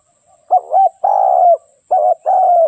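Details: Decoy spotted dove, used for trapping wild doves, giving two cooing phrases: a short wavering note, then a long steady coo that slopes gently downward at the end.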